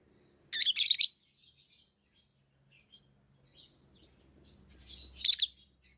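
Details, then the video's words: Tame lovebirds chirp, with one loud harsh burst near the start and another near the end, and soft scattered twittering in between over a faint low hum. "Love birds Sounds | lovebirds chirping sounds"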